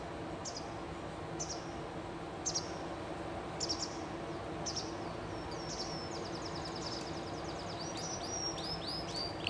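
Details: Canary of the Spanish llarguet breed singing live: high, clipped chirps about once a second, breaking into a rapid silvery trill and a drawn-out whistle, over steady background hiss.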